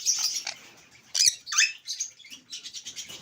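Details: Pet Alexandrine parakeet said to talk in Urdu and English, delivering a dense run of hoarse, speech-like chatter with two loud raspy squawks early on and rapid, rhythmic buzzy syllables closing the passage.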